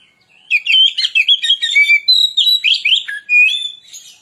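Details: Song of a white-rumped shama (kacer) played as a lure: a loud, rapid sequence of varied whistles, trills and harsh notes, roughly pulsing several times a second, with a clean whistled close.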